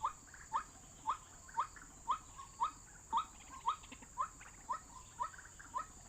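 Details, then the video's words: White-breasted waterhen call played from an MP3 as a trapping lure: twelve quick upslurred notes repeat at a very even rate of about two per second. "Pikat hanya menggunakan MP3 suara ruak-ruak"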